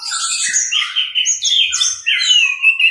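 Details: Continuous teler-style warbling from an orange-headed thrush, recorded as a tutor: tumbling whistles that slide down and up, delivered fast without breaks.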